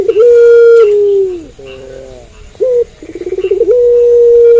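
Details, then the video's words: Puter pelung dove cooing at night: a long level coo sliding down at the end, a pause, a short accented note, a fast pulsed series, and another long steady coo. "Puter Pelung Gacor Manggung Malam Hari"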